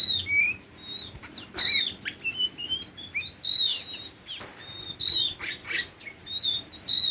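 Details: Tame Oriental magpie-robin delivering a lively, continuous medley of twittering chirps, rising and falling whistles and harsh clicks in quick bursts.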